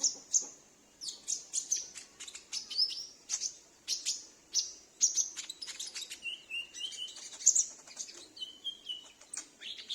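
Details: Captive sunbird at home, answering calls, used to lure wild birds: rapid high ticks and bright piercing chirps in quick bursts, joined near the end by lower slurred whistled notes from an answering bird.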